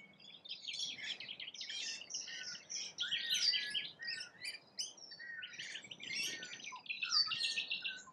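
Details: Rainbow lorikeets feeding in Australia, a flock chattering continuously with shrill, scratchy screeches and rapid squeaky notes overlapping in busy bursts, pausing briefly and resuming.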